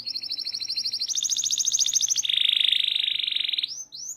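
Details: Local canary in full song for training other birds: a steady sequence of rolling trills stepping between pitches, one higher and thinner, then a loud, lower rich roll, ending in short rising notes.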